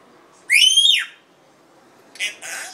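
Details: Red-tailed African grey parrot producing a loud, clear whistle that rises, holds, then drops away, followed after a pause by a harsh, rasping squawk.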